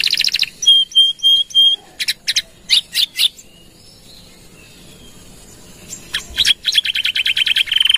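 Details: Canary song used as a lure and for training other birds: a short buzzy trill, four level pure whistles, sharp clicking bursts, a long pause, then a renewed rapid trill.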